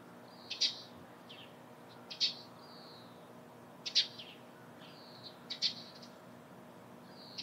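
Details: Morning calls from a Eurasian tree sparrow: a sharp, bright chirp repeated roughly every one and a half to two seconds, some followed by a softer trailing note.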